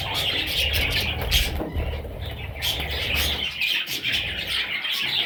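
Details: Young parrots call in a rapid, overlapping stream of high, wheezy chirps, over a noticeable low rumble and occasional bumps.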